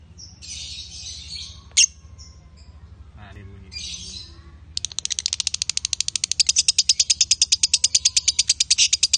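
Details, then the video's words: Male and female lovebirds: scattered high chirps and a brief scratchy call, then a long run of rapid, evenly pulsed high chattering notes, about six per second, growing louder. "Love Bird Jantan & Betina suaranya Bagussss"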